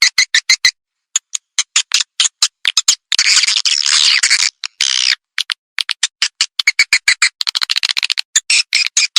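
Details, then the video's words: Swiftlet lure call broadcast from installed tweeters to draw in edible-nest swiftlets, with sharp clicking chirps in bursts, a short gap, a harsh buzzing twitter of about two seconds, then rapid chirp series again. "SUARA PANGGIL BURUNG WALET"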